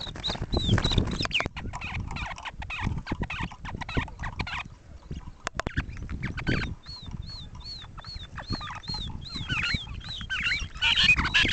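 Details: Grey francolin from a 2010 recording: a steady series of high, arched whistled notes repeated rapidly in the second half, after a stretch of heavy clicking and crackling noise with scattered fainter notes.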